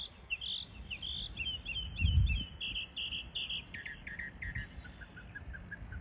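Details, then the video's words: Mimicking other birds, a mockingbird pours out tumbling chirps and slurred whistles, which then fade into soft, spaced notes, with a short low rumble in the background. "Mockingbird…so amazing how they can copy almost any sounds from other birds…"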